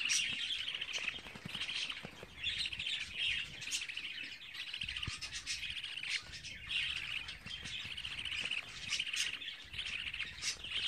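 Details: Pet budgerigar chicks at 24 days old give a steady stream of thin, high chirps and warbling chatter, many short notes packed together in uneven bursts, with faint background rustling.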